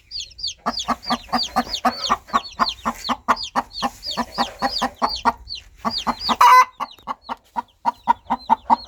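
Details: Countryside mother hen calling her newly hatched chicks to keep them close and lead them to food and warmth; a steady, rapid run of soft, rhythmic clucks, several per second, with high chick peeps above and one brief rustle.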